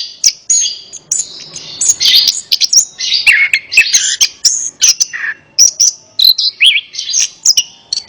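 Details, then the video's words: Orange-headed thrush song intended to prompt a silent bird to answer: a busy, high, tumbling medley of warbled whistles, twittering runs and short sharp notes in fast bursts, with no pause longer than a moment. "Terapi Burung Anis Kembang | Atasi Burung Anis Kembang Malas Bunyi Ikut Nyaut"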